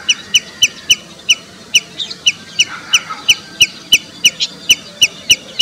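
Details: Common redshank in India giving a long, steady series of sharp, piping high notes, about three each second, with fainter overlapping notes from another bird in the background.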